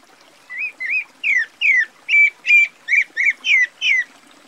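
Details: A Pale-breasted Thrush (Sabiá-barranco, Turdus leucomelas) in Brazil sings a run of about ten short, clear whistled phrases, slurred up and down and delivered about two a second, over a faint hiss.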